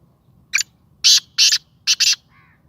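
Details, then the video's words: First call of a fearless, playful captive Sindhi black francolin. Five loud grating notes, short, long, long, then a quick pair, are followed by a faint soft note at the end. "Kala Teetar ki awaz / Black francolin voice کالا تیتر کی آواز"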